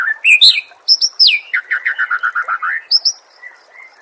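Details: Oriental magpie-robin song used as training material for songbirds: loud rising whistles and a high downward slur, then a rapid even series of about ten short buzzy notes, ending in soft whistles.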